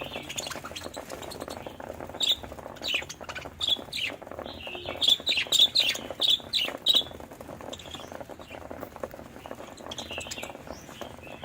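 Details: Budgerigars chirping: a busy stream of short, high, scratchy chirps and squeaky notes, bunched most densely in the middle, over a steady background hiss.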